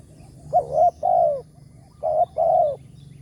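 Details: Spotted dove, the big-voiced target at a morning lure-trapping site, giving two low, hollow coo phrases: a short wavering note followed by a longer, slightly falling coo each time, over faint background hum.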